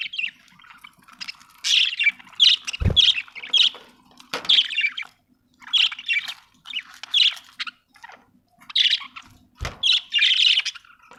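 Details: Budgie chattering in repeated clusters of raspy, warbling chirps with short pauses between phrases, and two brief low knocks in the background.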